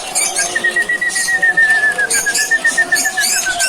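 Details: Lovebirds in the morning, screaming on seeing a person, with a steady high whistle-like tone running through quick repeated chirps and scratchy bursts.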